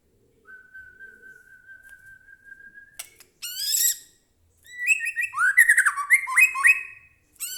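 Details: Captive white-rumped shama (murai batu) singing to provoke another bird: a long, steady, pure whistle held for about two and a half seconds, followed by bursts of varied chattering and warbled phrases.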